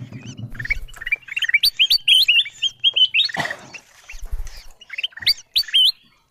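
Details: Wild-bird lure of ruby-throated bulbuls: clear whistled upsweeps repeated in quick bursts, a chorus of several birds, with a brief harsh rasping burst midway and soft low thumps.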